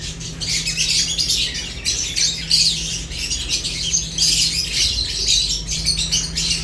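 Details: Shrill squawking chirps from a group of lovebirds while they eat, dense overlapping chatter rising and falling in loudness, with a constant low hum.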